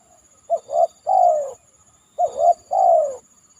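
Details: Spotted dove (tekukur) cooing after heavy rain from a banana trunk: two phrases, each a brief coo, a rising coo and a long drawn-out falling coo, repeated about every 1.7 seconds; clean quiet background.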